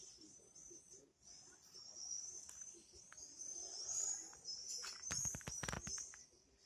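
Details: Shrill, sustained high screams from swifts run almost without a break, swelling and fading, with a burst of sharp clicking knocks near the end and a faint low rumble beneath.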